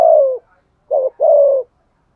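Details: Decoy spotted dove luring wild doves: the tail of one falling coo, then a short rounded note and a long, smoothly descending hollow coo.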